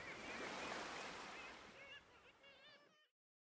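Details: Several black-legged kittiwakes (Rissa tridactyla) at Bempton Cliffs, East Yorkshire, give nasal, wavering overlapping calls over a steady wash of surf.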